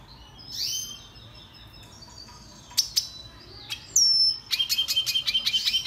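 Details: Red siskin (Spinus cucullatus) giving scattered high chirps and a sharp whistled slur, then a rapid run of clipped buzzy notes at the end.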